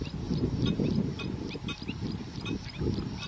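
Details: Garganey ducks giving low, grating, pulsed calls in quick uneven bursts, with scattered high-pitched bird chirps overhead and a steady outdoor hum.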